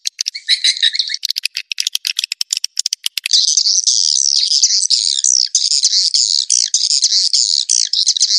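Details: Roost lure of edible-nest swiftlets: fast clicking and short chirps for about three seconds, giving way to an unbroken high, buzzy, wavering chatter.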